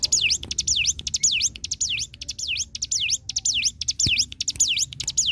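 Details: Hill Prinia song used as training material for songbirds such as magpie-robin, leafbird and white-rumped shama: a rapid, steady series of sharp V-shaped whistled notes, each sliding down then snapping back up, about two per second, with faint clicks behind.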